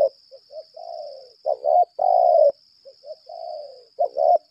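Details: A spotted dove kept as a 'lambung kuk' decoy coos in laga style: soft low notes, then loud stuttered phrases and long rolling coos. A faint constant high whine sounds in the background.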